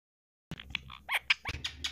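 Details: Ring-necked parrot talking, saying the Urdu phrase "Say Mere Munney Mithu Roti Kha": after a half-second of silence, a quick run of short, squeaky, speech-like syllables with shifting vowel-like tones, some sharper clicks among them.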